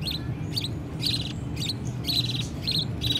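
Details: Budgerigar chicks being fed by their mother beg with short, raspy, high pleading chirps in quick bursts, about two a second, calling their parents, over a steady low hum.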